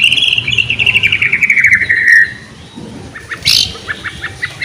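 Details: White-rumped shama, singing to prompt other shamas: a long rapid descending trill for two seconds, a brief harsh burst, then faint scattered notes.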